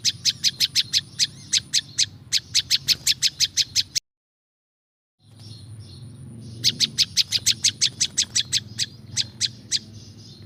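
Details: Prinjak lumut (prinia), natural sound for luring wild birds: rapid sharp high chirps for four seconds, a sudden silent gap, then the quick ticking series resumes, with faint low hum throughout.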